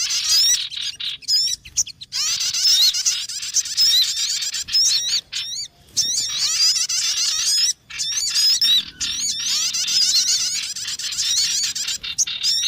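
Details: Sogon lure recording used for trapping: long stretches of busy, squeaky, high twittering with wavering whistled notes, broken every few seconds by brief silences.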